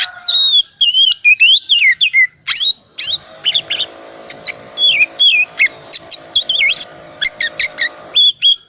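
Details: Oriental magpie-robin of the 'cold' temperament type, singing hard with a full repertoire as a lure for reluctant birds; sweet whistled phrases that swoop up and down, interspersed with quick clicks and chips.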